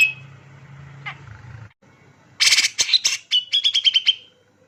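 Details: Energetic male grey-cheeked bulbul: faint whistles over a low hum, then a loud burst of harsh, rasping notes that ends in a quick, evenly spaced string of about seven sharp, clear chips.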